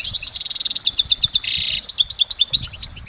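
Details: Wild goldfinch in continuous song, a rapid tinkling series of high chirps broken by a harsh, nasal buzzy rasp midway, then more quick slurred twitters and a thin drawn-out note, over soft low rumbling.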